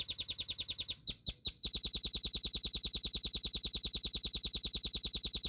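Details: Velvet-fronted nuthatch tutor recording: a rapid, metronome-like series of thin, high ticking notes, about three per second, briefly broken after one second by a few louder clicks before the even rhythm resumes.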